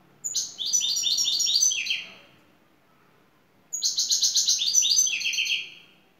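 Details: Turkish champion European goldfinch, şakşaklı song style: bright, high twittering phrases of fast repeated notes that slide downward at the end, two phrases with a quiet gap between.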